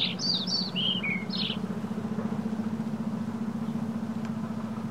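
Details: Baby scrub jays with their parents, May 2021: six sharp, high, falling chirps in a fast burst lasting under two seconds, over a continuous low mechanical drone that pulses steadily to the end.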